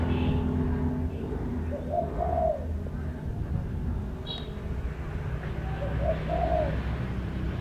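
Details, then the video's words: Bird calling with two soft, low cooing phrases several seconds apart, each swelling then fading, with a brief high chirp in between and a constant low rumble underneath. "Chim hót hay"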